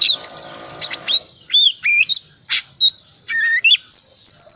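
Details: Oriental magpie-robin, calm 'cold' type, in a varied lure song for stubborn non-singers: clear looping whistles, a loud noisy burst, stepped warbled notes and high thin chirps to finish.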